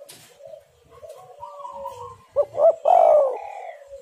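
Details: Lure call of a spotted dove to draw out wild birds: soft whistled notes from other birds first, then one loud dove phrase of two clipped notes and a long trilling coo.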